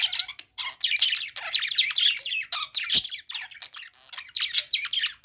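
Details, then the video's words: Budgerigars playing: nonstop rapid chatter of scratchy chirps and squawks blending into a busy warble, with one sharp click partway through. "parakeet chirping sounds | budgies playing sounds"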